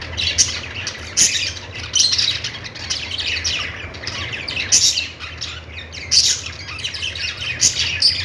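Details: Budgie flock chatter: rapid high chirps and warbles in uneven bursts, with sharp squeaky peaks several times, over a constant low electrical hum.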